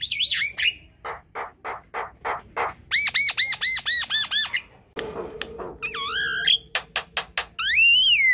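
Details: Javan myna (jalak kebo) singing at night: sharp clicks, a quick train of repeated rising whistles, a noisy burst, then wavering nasal notes and a long descending whistle.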